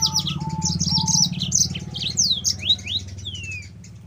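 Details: Lure song of a yellow-fronted canary for other canaries: jumbled high chirps and sweeping whistles, several long downslurred notes near the end, soft lower whistled notes early, over a steady low hum.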